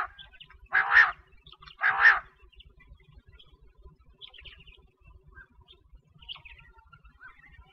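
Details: A quail, used as a call for wheat-season hunting, gives two loud, harsh, buzzy notes about a second apart; faint scattered chirps and a low background rumble follow.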